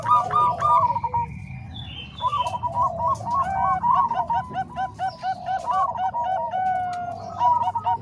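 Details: Zebra doves of the Bangkok and Cemani Kolbuntet kinds, mixed as training song for other doves: quick rippling coos in repeated phrases, several birds overlapping, with a low background hum.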